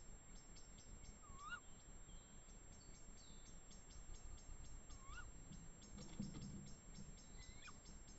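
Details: Two tawny owls in woodland in the Eifel near Dohr: short, sharp calls that rise then drop, given about every three to four seconds, one higher than the others, over a constant high ticking of insects and low rumble.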